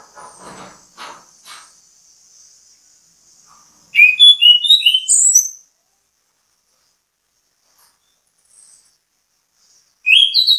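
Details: Orange-headed thrush (anis kembang) bait song to encourage other birds to sing: some faint rustling noises at first, then a loud burst of quick varied whistles, silence, and another phrase beginning at the end.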